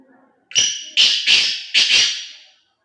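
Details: Black francolin calling: a loud, rasping, broken phrase of four harsh bursts over about two seconds, strong and scratchy, against a quiet background.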